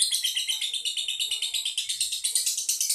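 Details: Lovebird kept in Boyolali, Central Java, Indonesia, in the long 'ngedur' singing style: a continuous high rattling trill with a throbbing pulse, steady in strength throughout.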